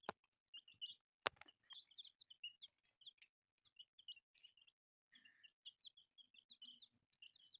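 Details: Newly hatched colourful chicks chirping in a group: many high short peeps, sharp clicks and knocks at the start, a lower buzzy note near the end amid continued peeping.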